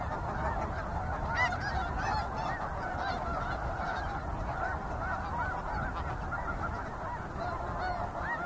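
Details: A flock of snow geese calls continuously in a dense, overlapping chorus of nasal, yelping honks over a low background rumble, with occasional sounds of flight and insects.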